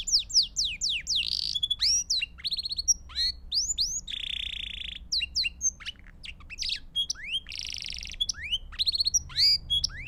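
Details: Belgian canary singing, for training chicks: rapid varied chirps and downward-slurred whistles, broken by two harsh buzzy rolls, with quick ticking notes between phrases.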